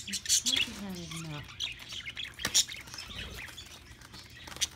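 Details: Pet budgerigars eating millet on 28 February 2018 give quick, high, scratchy chirps in short irregular bursts, while a person talks softly in the background.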